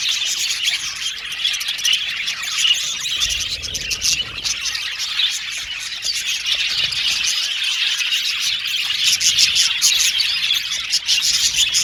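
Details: Colony of captive male blue and violet budgerigars chirping together in an aviary, a dense, continuous high twitter of overlapping calls with scattered harsher squawks.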